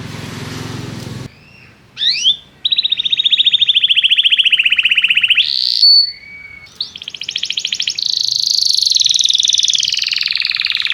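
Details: Canary song used to stimulate young canaries to learn to sing: a brief noise burst, then long rapid buzzy trills, a high rising whistle, and a sustained fast rattling trill at high pitch.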